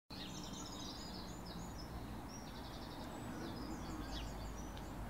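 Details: A flock of shiny cowbirds calling together: many overlapping high chirps and short whistled notes form a busy, continuous chatter throughout, over a steady low rumble of background noise.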